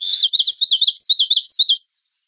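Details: Common yellowthroat song at close range: a loud, continuous series of about eight rapidly repeated looping notes, steady in pitch and rhythm, lasting under two seconds.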